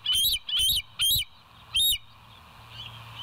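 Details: Bald eagle at the West End nest on a live cam, morning of 28 August 2023: four loud, shrill, high whistled notes, each briefly rising then dropping, in a quick uneven series, followed by faint hum.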